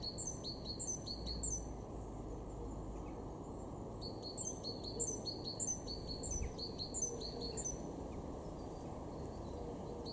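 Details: In a Weener garden, East Frisia, northwest Germany, in March 2023, a great tit repeats sharp high paired notes in two bursts separated by a short gap, each burst about a dozen quick phrases, with distant low background hum.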